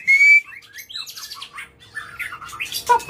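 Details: Excited white-rumped shama used to provoke other birds into singing: a single long level whistle opens, followed by a jumble of short slurred and chattering notes, then sharp clipped calls at the end.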